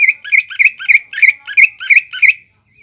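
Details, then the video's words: Greater green leafbird song in the 'nembak ngekek' style, meant to lure young birds into copying: eight evenly spaced, slurred whistled notes, roughly three per second, each with a softer lower grace note. "PANCINGAN CUCAK IJO GACOR NEMBAK NGEKEK BIKIN CEPAT MASUK BUAT CUCAK IJO KUNINGAN"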